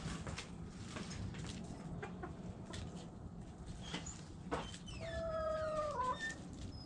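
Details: Domestic chickens, hens and roosters: after several seconds of low rumbling background and faint clicks, one long harmonic crow enters, holds a steady tone for over a second, then dips and breaks off near the end.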